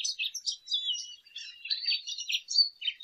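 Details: Lesser goldfinch in full song, a rapid continuous warble of high chirps and slurred whistled notes running without a break.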